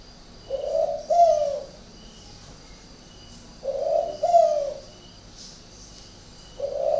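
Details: Unusual cooing of a spotted dove kept in Ba Vì district, Hanoi, Vietnam: deep soft double coos, the second note louder and falling, heard twice in full with a third beginning at the end.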